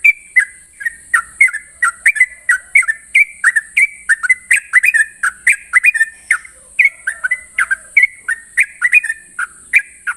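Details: Morning ropel song of a Sooty-headed bulbul, a long unbroken run of quick, clear whistled notes about two per second, each dipping or rising in pitch, with a constant high hiss behind.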